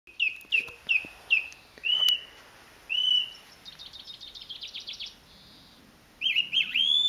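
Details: A song thrush sings in the Avenue at WWT Caerlaverock with loud, clear phrases: a short whistled note repeated four times, then longer notes and a fast rattling trill, each phrase distinct.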